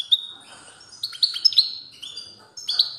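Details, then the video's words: European goldfinch singing strongly, 29 September 2022, a little quieter: scattered clear whistled notes and short twittering phrases separated by gaps. "تغريد قوي لطائر الموقنين"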